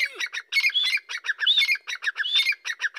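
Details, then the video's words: Grey francolin of the Dakkni type, described as excited, calling loudly: rapid harsh squawking notes repeated in a run, with a ringing high note recurring every second or so. Little background sound. "مست دکنی تیترآواز/Hot Dakkni Teetar ki Awaz"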